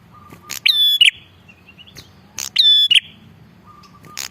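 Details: Bar-winged prinia in full, energetic voice, used as a lure for wild birds. Two strong phrases about two seconds apart, each a snap and then a piercing, even whistle ending in a burr. Faint low hum underneath.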